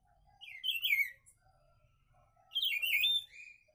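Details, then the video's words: Buffy-fronted seedeater (papa-pimenta) giving two loud, rough warbled phrases, each under a second, rising then falling in a twisting line, separated by a short pause in a quiet setting. "Canto Do Papa Pimenta"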